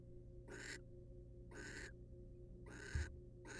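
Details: A male barn owl preens a female inside a wild nest box. Four harsh, hissing calls repeat roughly once a second, with a soft thump near the third call and a steady low hum throughout.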